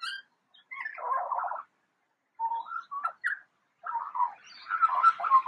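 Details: Eurasian magpie mimicking a siren, giving a harsh buzzy burst, then after a pause a series of wavering, sliding whistled notes, ending in a dense stretch of rough, rising and falling warbles.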